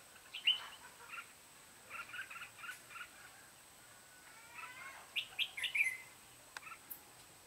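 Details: Red-whiskered bulbul heard while trapping on 14 July 2016: quiet rapid chirps early on, then a louder burst of sharp whistled, twisting notes, with other birds' thin calls and a click near the end.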